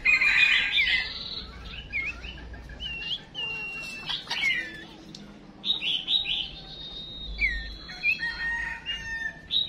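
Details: Female songbird decoy call for drawing song from males: a busy opening burst, then scattered looping whistles, short chirps and long level whistled notes at varied pitches.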